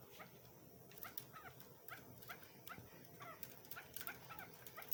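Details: Female chukar partridge, a hunter's bird readied for hunting, calls in quick, uneven series of short, slightly rising clucking notes. Faint clicks and handling sounds are mixed in.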